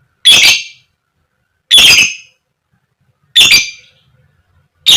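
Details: Shrill koek koek calls from a female fighter lovebird, a lure to trigger other lovebirds: three harsh screeches evenly spaced about one and a half seconds apart, a fourth starting at the end, silence between.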